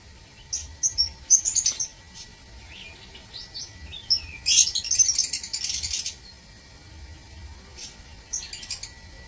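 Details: Aviary lovebirds, 16 March 2024: scattered high squeaky chirps in short clusters, a longer noisy burst of chatter around five seconds, then quieter pauses and a brief final flurry, with a constant faint hum beneath.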